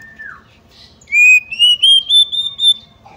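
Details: Female White-rumped shama calling as a lure to rouse males to anger, song and tail-spreading: one soft falling note, then a series of six clear whistled notes stepping gradually higher in pitch.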